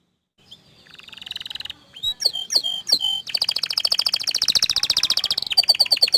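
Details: Orange frost canary building from a faint rising trill to a few sharp sweeping notes, then a loud rapid buzzing roll at high pitch, ending in quick clipped chirps.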